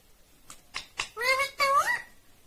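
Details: Green Indian ringneck parrot talking: two short clipped syllables, then two longer voiced, word-like phrases with wavering rising and falling tones, indoors in a quiet room.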